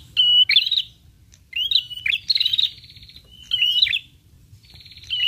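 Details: Prinia lure call meant to draw answering prinias: repeated phrases of high whistled notes mixed with buzzy trills and sharp upslurred chirps, about four bursts in five seconds, with faint low hum beneath.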